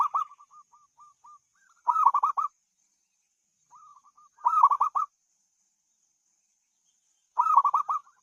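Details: Melodious zebra dove cooing: a bright burst of four or five rolling mid-pitched notes about every two and a half seconds, separated by strings of soft, evenly spaced lower coos, with no other sounds.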